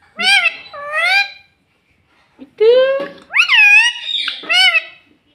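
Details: Pet parrot, a ringneck by the tags, saying "mummy" and "mitthu" in a shrill, strongly harmonic voice: two quick syllables, a pause, then a run of rising-and-falling syllables, in a quiet indoor room.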